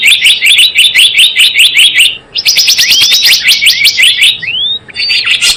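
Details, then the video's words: Lure call of Java sparrow for trapping: a steady stream of crisp repeated chirps, then a denser chatter ending with upward-sweeping whistled notes. "SUARA PIKAT BURUNG GELATIK BLOONG"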